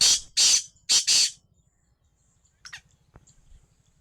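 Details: Black francolin (kala teetar) calling on 22 February 2025: four harsh, grating, buzzy bursts delivered in quick pairs, then quiet with a couple of faint thin chirps afterward.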